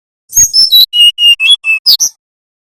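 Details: {'caption': 'Brown-chested jungle flycatcher of the Bali type, nyiul or nyuling song style, used as a lure so young wild-caught birds learn to sing: sharp high chirps, then five even whistled notes falling slightly, ending in two squeaky upslurs. Clean recording, no background.'}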